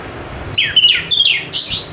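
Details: Oriental magpie-robin, known as kacer, in lure song to make quiet birds sing: two quick phrases of bright, downward-sweeping whistles followed by a high, buzzy chirp.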